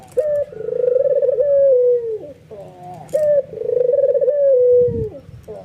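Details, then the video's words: White albino ringneck dove cooing excitedly with head nods, stirring other doves to join; two full coos, each a bright short note followed by a long throbbing roll that gently descends. "SUARA BURUNG PUTER PUTIH ALBINO FULL NGANGGUK EMOSI BIKIN PUTER LAIN TERPANCING IKUTAN GACOR"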